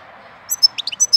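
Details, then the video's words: European goldfinch singing in April: a quick burst of about seven bright, high, tinkling chirps, some sliding down, over a faint steady hum. "Cântec sticlele luna aprilie"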